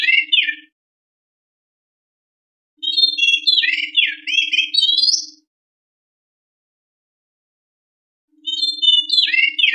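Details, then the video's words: White-rumped shama song used as a lure to stimulate birds to sing: bursts of rich whistled and warbled phrases, rising and falling, separated by silent gaps of about two seconds, with a faint steady low tone under each burst. "mp3 pancingan burung murai super gacor"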